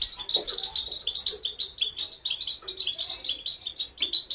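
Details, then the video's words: Female European goldfinch in a training song, a continuous, energetic twitter of high, sparkling chirps and trills, with faint lower warbling notes mixed in. "Female gold finch training song"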